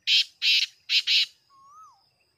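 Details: Black francolin calling, recorded on 5 7 2023: four loud, harsh, grating bursts in quick succession, two then two, followed by a softer rising-then-falling whistle from another bird.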